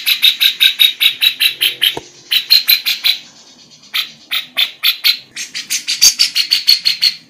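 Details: Female lovebird singing a loud, fast, high chattering song filled with imitations of kapas tembak and cucak jenggot phrases. Sharp, clipped notes repeat about four times a second in bursts separated by brief pauses.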